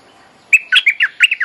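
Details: Bulbul lure song for attracting a mate and teaching young birds: a tumbling series of six warbled, chirpy notes that rise and dip in pitch, following a brief quiet start.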